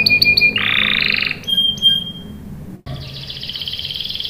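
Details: Canary singing to lure other canaries into answering: short sharp chips, a loud buzzy roll, a high thin whistle, a brief pause, then a steady fast trill.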